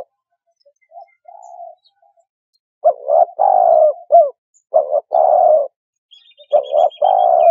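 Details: Spotted dove: a faint soft coo, then loud hollow phrases of short and long coos repeating, with thin high chirps from small birds near the end.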